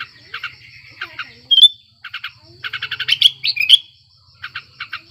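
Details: Sooty-headed bulbul in breeding condition, sung to draw quiet birds into singing: scattered short chattering notes, a bright whistle, then a burst of quick repeated chirps and two loud slurred whistles.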